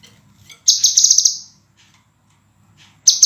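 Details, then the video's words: High, bright trilled phrase from a scarlet minivet, used as master training audio for caged songbirds. One dense buzzy burst of close-set pulses lasts nearly a second, then a second burst starts after a quiet gap. "MASTERAN BURUNG SEPAH RAJA SUARA JERNIH RAPAT DAN TAJAM"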